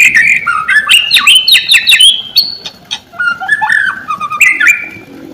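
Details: White-rumped shama singing as a lure for silent shamas: quick strings of rising and falling whistled notes, bright and varied, tapering into lower, softer warbles toward the end.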